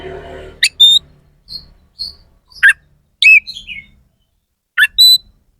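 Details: Oriental magpie-robin singing harsh fill-in elements: scattered single notes, including a high pure whistle, rasping chips, and a short descending run, with pauses of a second or more between them.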